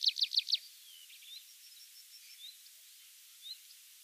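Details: A wild tree pipit sings in mixed woodland in Mongolia. Four loud, sharp, high notes are given in quick succession, followed by faint, scattered thin notes and quiet background.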